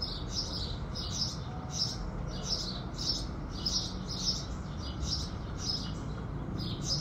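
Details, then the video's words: House sparrows greeting the rising sun with a steady run of about ten short, bright chirps, evenly paced over seven seconds, against continuous low-pitched ambient noise. "Relaxing Morning Music, Sparrows Singing"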